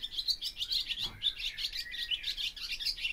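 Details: Barn swallow (Hirundo rustica) singing a continuous stream of fast, high twittering and warbled chirps, dense and unbroken across the whole stretch, with a soft low thump near the middle.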